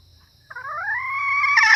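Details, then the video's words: Female red junglefowl calling to lure males and other hens: a single drawn-out harmonic note starting low and rising steadily, ending in a harsher burst; a steady insect-like buzz sits in the background. "suara ayam hutan betina"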